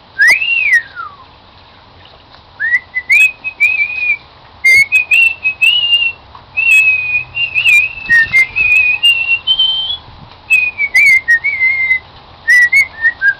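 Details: A pet cockatiel, new to a live band, performs "Song of the Garden" as a long whistled melody of sustained, gently wavering tones, broken by brief clicks and short pauses.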